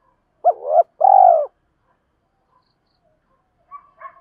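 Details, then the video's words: A spotted dove's luring coo, used for training decoy birds: a two-part phrase of a rising note swelling into a long buzzy coo, then silence and faint distant notes. "tieng chim cu mồi thúc và gáy gọi bổi rất nhanh dìa cội/ tiếng gáy dùng luyện mồi và bổi"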